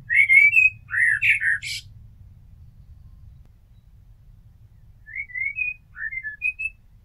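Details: Blackbird singing a loud mellow whistled phrase with a squeaky high flourish, then after a two-second pause a quieter, more distant series of short fluting notes; faint low background hum throughout.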